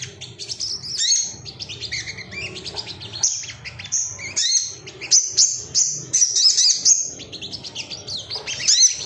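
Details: Agitated male ruby-cheeked sunbird, locally sogok ontong, singing while seeking rivals, used as training material to make birds sing: dense, very high, rapid twittering and squeaky chirps with brief pauses, bright thin notes repeated in quick bursts throughout.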